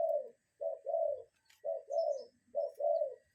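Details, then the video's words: Cuckoo in nature calling a steady series of low, hollow two-note phrases, a short note run into a longer one, three phrases in quick succession with quiet between. "Relaxing Cuckoo Bird Sound in Nature"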